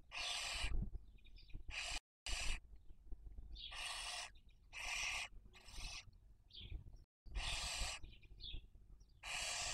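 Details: Wild Barn owls raising young at a nest in Cabañeros National Park, Spain, 2023 breeding season: a series of long rasping, hissing screeches repeated roughly every one to two seconds, with fainter short wheezy notes between them.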